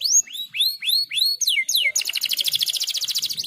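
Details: Canary song in a unique cengkok style, a master recording for training young canaries: repeated rising whistled slurs, two steep falling notes, then a long rapid buzzy trill.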